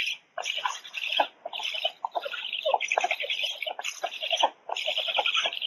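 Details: Black stork at its nest in the Łódź forest region, Poland, 13 July 2020 at 16:44, as an adult female delivers mixed food: loud, harsh, raspy chattering calls in bursts about a second long, separated by brief pauses.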